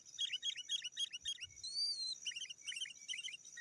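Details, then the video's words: Sooty-headed bulbul calling rivals, used for luring wild birds: grouped bubbly chirps repeated several times, broken by a thin wavering high whistle, over steady background hiss. "Suara Burung KUTILANG GACOR 100% Ampun Untuk Suara Panggilan dan Masteran"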